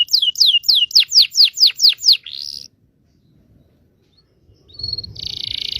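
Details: Canary singing a training song for young canaries: a rapid series of about ten sweeping notes and a short buzz, a pause of near silence, then a rough buzzy trill.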